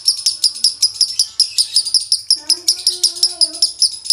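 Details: Dry-toned konslet from a male lovebird: an unbroken, evenly paced stream of piercing high chirps nearly three per second, with a faint voice briefly audible midway.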